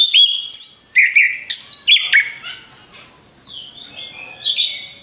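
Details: Orange-headed thrush song meant to lure other birds: several short, loud whistled phrases with sharp upward and downward slurs, a quieter pause, then a final bright ringing burst.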